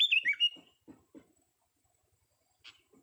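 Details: Young sooty-headed bulbul tested for its voice opens with a quick, loud phrase of rolling whistled notes dipping downward, followed by soft knocking sounds and a short faint note.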